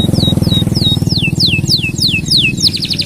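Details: Canary song meant as a master track for training other birds: a series of clear downward-slurred whistles, about three per second, ending in a quick trill, over a steady low rumbling hum.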